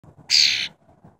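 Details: A tame wild cowbird gives a single harsh, hissing burst lasting under half a second, bright and high, standing out against faint low room murmur.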